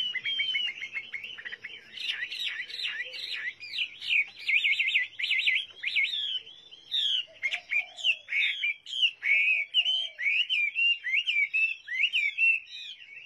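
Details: Chinese hwamei singing a rich, loud, varied song of rapid slurred whistles and warbled phrases, with quick note changes and short gaps, a few soft low notes underneath.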